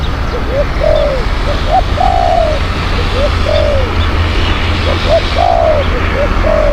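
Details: Decoy spotted dove, praised as a fierce and skilled cooer, used to attract wild doves. It repeats hoarse three-part coo phrases steadily, each ending in a longer rolling note, over constant low rumbling background noise.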